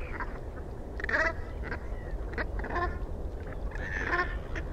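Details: Several brant geese calling with overlapping rough, nasal notes at irregular intervals, amid a continuous low roar of wind or surf.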